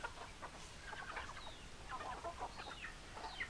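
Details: Chickens, hens clucking in a flock: soft, short, rapid clucks with thin, high, falling peeps scattered throughout, all fairly faint over a low background rumble.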